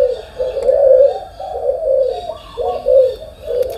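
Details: Morning cooing of a spotted dove, a steady chain of low, mellow coos running about one per second with slight rises and dips in pitch.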